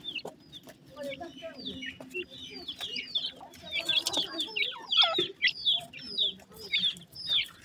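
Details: Several francolin chicks keep up a busy chorus of sharp, high, downslurred peeps, about one a second at first and then crowding closer together, over a faint low murmur and a few clicks.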